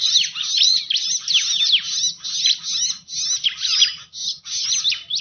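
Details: Lure sound of the Bar-winged prinia: high rapid chirps and downslurred whistles in clustered bursts separated by tiny gaps, with faint low background rumble.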